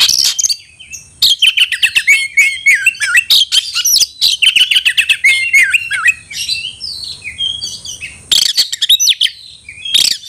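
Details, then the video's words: Kacer (Oriental magpie-robin) calling to provoke a fighting rival, tail open: long varied run of rapid chirps, whistled slurs and harsh notes, broken by brief pauses, a steady high hiss behind. "panggilan kacer mencari lawan tarung"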